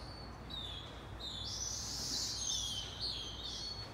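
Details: Hungry Say's phoebe nestlings, close to leaving the nest, begging as their mother feeds them: a high, thin, continuous wavering whine that swells and fades, over faint background noise.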